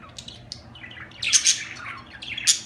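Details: Budgerigars chirping; soft high warbles at first, then louder bursts of bright, buzzy chirps around the middle and a sharp chirp near the end, with a faint low hum underneath.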